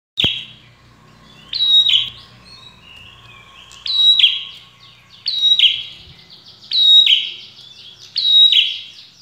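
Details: A red-headed prinia repeats short, sharp, high chirping phrases about every second and a half, with a faint low hum in the background.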